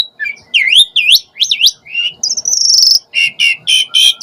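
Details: Asian pied starling calling, used as a lure to provoke starlings to answer and sing fully: rising and falling whistled slurs, then a harsh buzzy rattle and a series of short repeated chattering notes.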